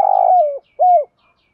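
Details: Fragment of a decoy spotted dove's early-morning call to wild birds: a long buzzy rolling coo drifting downward, followed by a single smooth level coo, then quiet.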